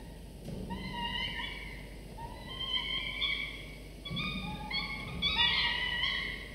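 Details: Falcon chicks, two nestlings aged 24 to 25 days, filmed by a nest camera while fed prey by their father; a run of drawn-out whining calls that quicken and crowd together toward the end, with faint knocking.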